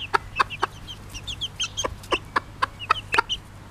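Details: Pekin bantam of bobtail colouring, a mother hen with her chicks: sharp, short clucks in a steady series, mixed with thin, high chick peeps and whistles between them.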